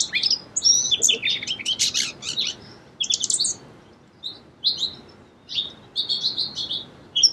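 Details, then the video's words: Song sparrow delivering repeated bursts of song: rapid high chips and buzzy trills in clusters, pausing between phrases, with clear short whistled notes near the end. "Song Sparrow Bird Sound"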